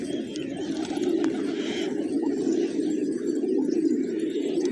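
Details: Village pigeons feeding on fresh grains in the morning, a dense low rumble of overlapping coos throughout, with a faint higher hiss early on.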